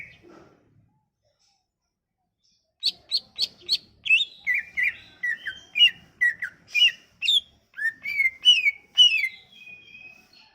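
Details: Lure recording of Sumatran leafbird song meant to make non-singing leafbirds sing: after a silent start, a burst of sharp clicks gives way to a lively series of slurred, chirping whistles repeated about twice a second.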